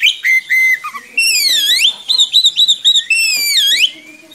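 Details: Oriental magpie-robin singing a long rolling song meant for tutoring young birds: bright whistled notes, broad downward-then-upward sweeping phrases and a quick series of short repeated whistles, loud and close.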